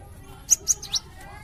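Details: Gelatik batu, a melodious songbird kept by bird hobbyists as a tutor bird for other songbirds. It gives three short, sharp, very high chirps spaced about a fifth of a second apart, over a low steady background hum.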